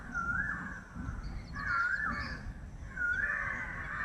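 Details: Indian peafowl in a village setting calling three times, each a loud, drawn-out nasal cry with a rising start, spaced about 1.4 seconds apart, over steady low rumbling background noise.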